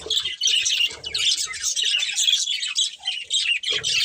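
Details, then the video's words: Budgerigars of a breeding pair produce bursts of high, scratchy twittering and chirps with short gaps, accompanied by low clattering sounds at the start and end. "Beautiful Budgies Chirping Sounds | Love Birds Breeding Pair"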